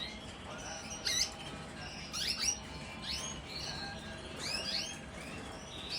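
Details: Canaries during the 2025 breeding season: scattered high, quick upward-sweeping chirps and short twittering bursts, coming in clusters about every second or two, over a soft steady low background hum.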